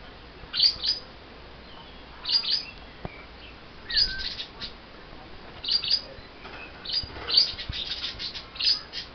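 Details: Pair of caged lovebirds upset just after wing clipping, uttering bursts of sharp high chirps roughly every one and a half to two seconds against a constant hiss.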